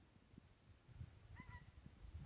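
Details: At a Solway viewpoint near Glencaple, one noisy goose among many gives a single brief, squeaky honk, slightly rising then level, over steady low wind rumble and handling noise.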